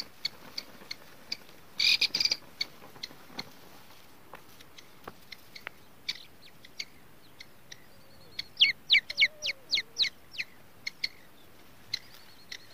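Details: Grey francolin (teetar) chicks on their first day, giving rapid, high, sharp peeps and clicks, scattered at first then in a quick burst of about a dozen near the end, over a faint hiss.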